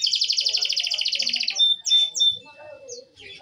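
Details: Canary sings a rapid, rolling buzzy trill for about one and a half seconds, followed by a few sharp whistled notes and soft low chirps.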